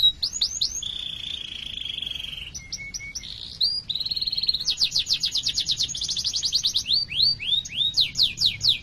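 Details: Canary delivering a long rolling song to spur other canaries: rising chirps, a steady whistled tone, a low short note, then long fast trills and descending swept chirps repeated several times per second.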